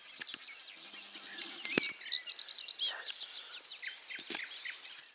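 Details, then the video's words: A Citrine wagtail near 53.37 N, 22.56 E gives sharp, high chirps with a quick run of bright repeated notes midway, over other bird chatter and light background noise. "Citrine wagtail / Pliszka cytrynowa"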